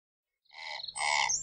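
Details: Razorbill (Alca torda) giving two short, harsh, croaking notes, the second louder and longer, each with a rough buzzy tone over a quiet background.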